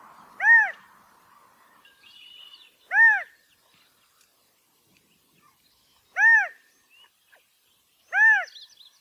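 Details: Mating calls of a California quail, four strong arched nasal notes spaced about two to three seconds apart over near silence, with faint high chirps between them.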